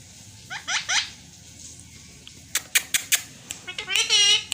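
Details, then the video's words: Indian green ringneck parakeet, a talking pet parrot, gives short harmonic squeaky utterances near 0.5 s and 1 s, then sharp clicks and a buzzy rasping burst at the end in a small indoor room. "Indian Green Ringneck Talking Pakateet|Talking Parrot Urdu/Hindi"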